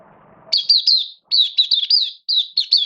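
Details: Pet oriental white-eye recorded 11 September 2022, form dipped a little; clean, loud twittering phrases of fast, slurred high chirps in two groups separated by a short silence, after a brief low murmur at the start.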